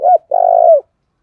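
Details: Decoy spotted dove giving its calling coo meant to draw in wild doves: a short curved note, a brief pause, then a long, steady, slightly rough low coo that drops at the end. The recording is otherwise quiet.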